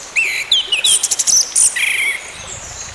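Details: Orange-headed thrush singing as therapy for a bird gone quiet: quick descending whistles, high scratchy notes and a buzzy trill, continuous for about two seconds.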